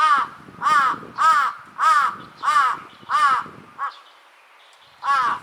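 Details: Large-billed crow, one of two birds in a threat display, giving six harsh, hoarse caws about 0.6 seconds apart, then a short softer caw, a quiet pause and one more loud caw.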